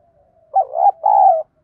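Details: Spotted dove used as a decoy, singing in the "giọng đồng" style meant to provoke rival doves to fight and coo: a soft low hum, then a loud two-part throaty coo and a long sustained coo note, in a quiet setting.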